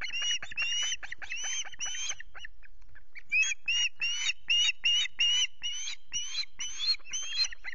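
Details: Osprey calling at a Loch Garten nest with chicks, 5 July: harsh, rasping squeals in quick repeated bursts, a short pause, then a long steady run of clipped, strident notes.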